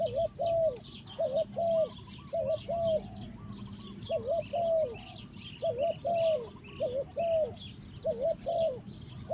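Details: In the forest, a spotted dove (tekukur) repeats short, mellow, arched coos in twos and threes at an uneven pace, while many small birds chirp and twitter higher up in the background.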